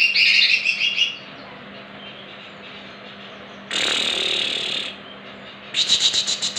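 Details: Greater green leafbird song used as a lure to prompt other leafbirds to answer: three separate bursts of high, shrill, rapidly repeated chips and trills with quiet gaps between them.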